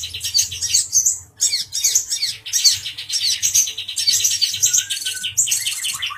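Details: Male brown-throated sunbird, worked up and teasing a cucak jenggot (grey-cheeked bulbul), pours out high, squeaky chirps in fast, jumbled bursts broken by brief pauses.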